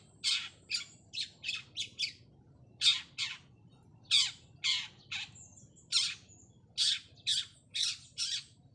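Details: A Long-tailed Shrike, seeking a rival, gives harsh, scratchy squawks in quick bursts, about two per second with short pauses, over a low background hum.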